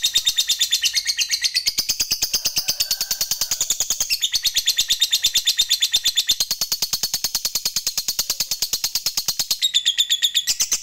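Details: Fighter-type lovebird in long "ngekek" chatter, used to coax lazy lovebirds into singing: an unbroken, fast, harsh high-pitched chattering run lasting the whole stretch, steady in rhythm with slight shifts in pitch.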